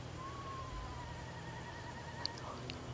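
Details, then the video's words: Eastern screech owl at Presque Isle State Park, Erie, Pennsylvania, on 14 November 2018 after leaf fall: a soft, quavering whistle that starts slightly higher, then holds and gently falls for about two seconds, over a low hum. "Eastern Screech Owl Call"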